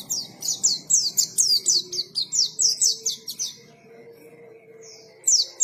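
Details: Pleci (white-eye) gacor singing: a steady run of bright, high downslurred chirps, roughly three or four per second, fading into quiet, then a final burst of sharp notes.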